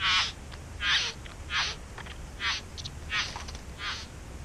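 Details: Harsh rasping notes from bowerbirds nesting in a back yard, six broad scratchy bursts repeated roughly every seven-tenths of a second, each loud and grating, over a faint low hum.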